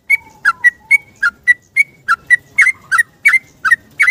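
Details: Yellow-vented bulbul calling for a companion in the morning, meant to coax silent bulbuls into song: crisp whistled chirps repeated about three per second, alternating higher and lower, some with a soft lower trailing note.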